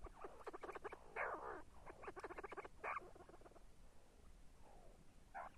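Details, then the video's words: See-see partridge giving quick strings of short rising whistles and chatter, loudest early on, then fading to a few softer notes with one final burst at the end. "see see partridge sound кабги зирак"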